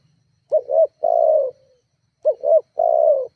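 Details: Spotted dove lure call meant to rile rivals into calling: two low, soft phrases, a quick double coo followed by a long note trailing off, separated by a short silence.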